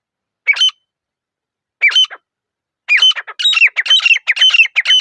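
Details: Grey francolin (teetar), a pair, in a quiet forest: two isolated squeaky phrases, then an accelerating burst of loud, ringing, grating notes about two per second, building into a fast repeated chorus.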